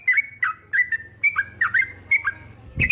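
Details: A yellow-vented bulbul sings, a sound said to anger rival birds: a string of quick, slurred whistles dipping and rising. The phrase closes with a sharp burst of noise.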